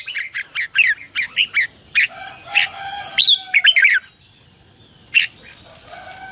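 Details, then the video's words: Rapid rhythmic series of clear whistled notes from a red-whiskered bulbul, competitive song played to call wild birds and train decoy birds, fading into quiet with one final note; a low soft hum and steady high tone underneath. "CHÀO MÀO HÓT GỌI BỔI CHÉ CĂNG ĐÉT QUÁ HAY - KÍCH CHIM NHANH CĂNG LỬA"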